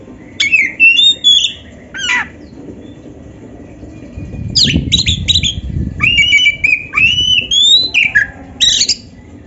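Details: Oriental magpie-robin training song for pet birds: bursts of quick chirps and whistled slurs, a pause with low rumble, then a long run of varied rising and falling whistles.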